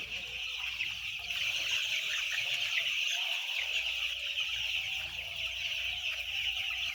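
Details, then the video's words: White chicks in a huge flock of about ten thousand, their shrill peeps merging into a continuous, even wall of high chirping with no pauses, plus a faint low hum. "10000 White chick's 🐤"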